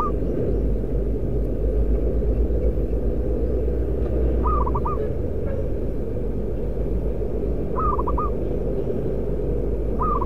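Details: Zebra dove, local bird prized as a decoy for its loud voice, repeating a cooing phrase about every three and a half seconds: a long note then quick stuttering notes, amid loud continuous rumbling noise.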